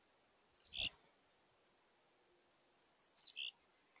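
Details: Black-capped chickadees at a bird feeder on 24 October 2022: a large, likely older bird chasing off a smaller, younger one gives two brief bursts of high, thin chips and buzzy notes, about 2.5 seconds apart, over quiet hiss.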